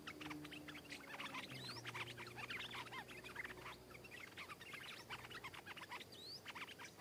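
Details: Stripe-throated bulbul, a wild bird singing back at a caged bird and coming down to fight it fiercely; dense, continuous bubbly chatter of short slurred notes with occasional upswept whistles.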